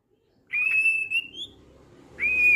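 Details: Male white-rumped shama from Medan, described as a mutation bird, in trotolan song style. It gives a long, even, clear whistle that rises slightly at the end, and then after a pause starts a second sustained whistle.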